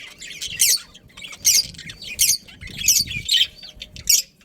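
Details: Breeding colony of budgerigars: loud, harsh squawking bursts come roughly once a second, each a chattering cluster of notes, over faint background chirps and rustling.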